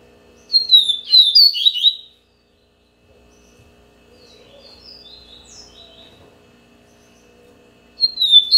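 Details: A captive-bred Bahia-type double-collared seedeater ("coleiro baiano") sings a quick, high, twittering phrase of sweet whistled notes that starts again after a pause; a soft hum sits underneath.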